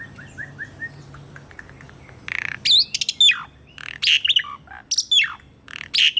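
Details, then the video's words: Asian pied starling song used as training audio for birds that have stopped singing: faint short whistled notes, then loud harsh buzzy bursts mixed with sharp sweeping whistles, irregular and high-pitched, with a steady faint hiss. "PANCINGAN SUARA BURUNG JALAK SUREN ( TERAPI JALAK MACET BUNYI ATAUPUN JALAK BAHAN )"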